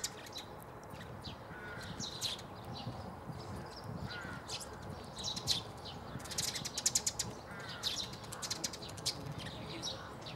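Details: Eurasian tree sparrow at Bundek, Zagreb, Croatia, recorded 9 March 2015; sharp high chirps scattered through the clip, with a busy flurry near the middle, over steady low outdoor background noise.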